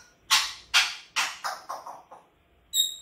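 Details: Grey parrot kept as a pet screaming indoors: a rapid series of harsh, raspy shrieks, the first three loudest and evenly spaced, then four shorter fading ones, followed by a high bright whistle.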